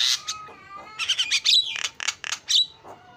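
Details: Short burst of starling lure song: a steady held whistle, then a cluster of harsh, buzzy squawks mixed with sharp upward whistles, a brief gap and a final scratchy note.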